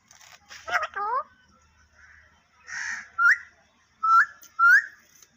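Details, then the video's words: Talking parrot uttering a couple of downward-bending voiced notes, a soft breathy sound, then three sharp rising whistles repeated about every half second, in a quiet room. "Tota Boltay Huay Kesa Lag Raha Hai _Totay Ke Awaz"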